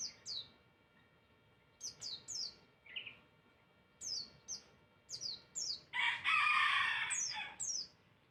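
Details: Energetic masteran bird song played to provoke answers from other birds: paired high downslurred whistles in short groups, a lower chirp, then a loud harsh rasping burst before more whistles.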